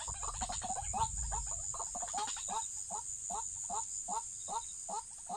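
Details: White-breasted waterhen in a trapping context: a steady series of short, hoarse, downward-slurred croaks, about three per second, over a constant shrill insect drone with some low rumble early on.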